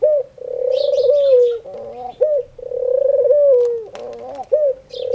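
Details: Daily prayer-time cooing of a singing dove, known locally as khumra: repeated smooth, sustained low coos that slide slightly downward at the end, separated by short gulping notes, with distant bird chirps.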